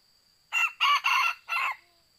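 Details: Young male red junglefowl used as a trapping decoy, which lost after a fairly long fight: a loud four-part crow, harsh and rasping, with a short gap before the last drawn-out syllable, against a quiet background.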